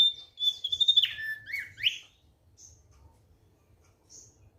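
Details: Thick-billed white-eye giving a short high phrase, likely a kept bird: a level whistle breaking into quick falling and rising slurred notes, then near silence with two faint high chirps.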